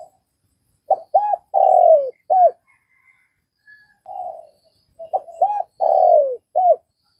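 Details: Spotted dove from Vietnam giving its cooing phrase twice: two or three brief mellow coos, a long downward-sliding coo and a final short note. A softer, muffled coo falls between the two phrases. Otherwise quiet.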